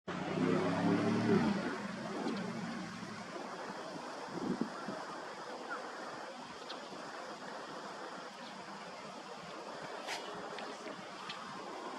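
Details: Steady wind and surf-like rushing noise, with a low rumble in the first two seconds and a few faint clicks; no animal calls stand out.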